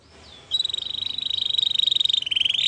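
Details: Canary song for training: after a brief soft note, a long rapid pulsing trill on a steady high pitch, very fast and even, with faint background hiss.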